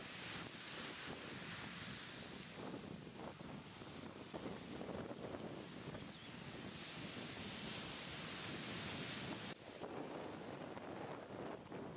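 Steady roar of wind and breaking surf, with no animal voices.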